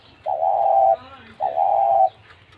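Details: A caged spotted dove gives two long, soft, even coos, each lasting most of a second, with a faint low hum beneath.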